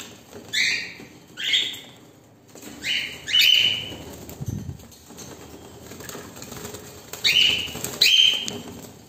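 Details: Cockatiels reacting to a camera give short, harsh, rising chirps in pairs, with pauses of a few seconds between bursts.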